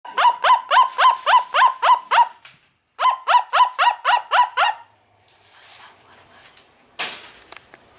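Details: A 57-year-old Amazon parrot barking like a little dog: rapid, evenly spaced harsh yapping notes, about four per second, in two runs of seven or eight barks separated by a short gap, then quiet and a brief rustling noise.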